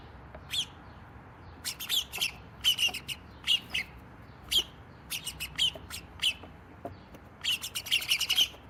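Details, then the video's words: Several sparrows in a noisy squabble around a cat house: sharp, high chirps come in quick bursts and clusters, with short gaps between them and a denser flurry of overlapping chirps near the end. "Noisy sparrow drama"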